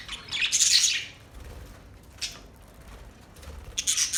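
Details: Budgerigars giving mating calls: a loud burst of shrill, crackling chirps, a brief quieter chirp, then another harsh squawking burst at the end.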